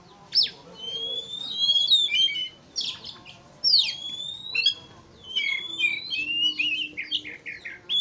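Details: Provoking song of an agitated Oriental magpie-robin, meant to excite a rival. Sharp upswept notes, lengthening rising whistles and clusters of quick buzzy and warbled notes repeat in short phrases.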